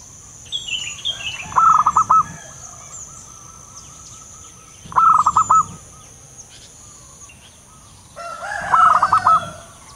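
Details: Wild local zebra dove, used as a lure call, gives three bursts of quick, stuttering coos, one every three to four seconds, over a steady high insect whine.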